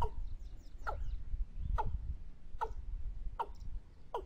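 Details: Watercock lure call used for trapping: six resonant, falling notes spaced under a second apart, evenly paced, with low rumble and faint background noise.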